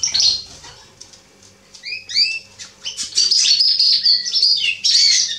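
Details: Male Atlantic canary singing, 27.10.2020: a scattered start of soft notes and a few paired upward-sweeping whistles, then a bright run of high trilled phrases with clear ringing tones.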